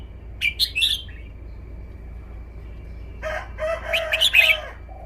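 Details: Red-whiskered bulbul performing its song phrasing, with one crisp warbled phrase early on and later sweet notes mixed into a loud, harsh crowing-like burst, over a constant high hum.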